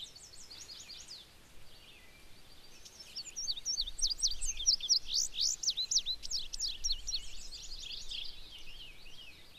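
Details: Male Indigo Bunting singing on his territory in a regenerating clear cut harvested a couple years ago in Maine: a faint phrase opens, then a loud run of high, paired, sharply sweeping notes lasting several seconds.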